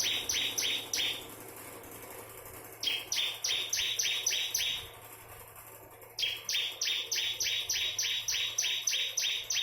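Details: Ciblek kristal, a bar-winged prinia, delivering its unusual 'nembak' song: strident buzzy notes, each opening with a sharp high tick, fired in quick even runs of six to ten, pausing between bursts, over faint electrical hum.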